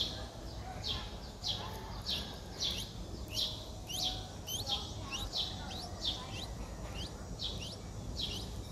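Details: Nestling Streak-eared Bulbul, four days old, Ubon Ratchathani, Thailand, April 6, 2023. High, short upswept chirps repeat about every two-thirds of a second, fairly steady, over faint low background noise.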